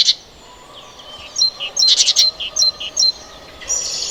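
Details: Great Tit, a European garden bird, giving short bursts of whistled two-tone notes amid a jumble of other high chirps, with a steady rushing background and a hissing burst near the end.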